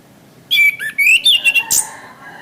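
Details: Orange-headed thrush song used to tutor caged birds: rich whistled notes opening with a swoop, then a run of five quick loud fluty phrases and a sharp high flourish at the end.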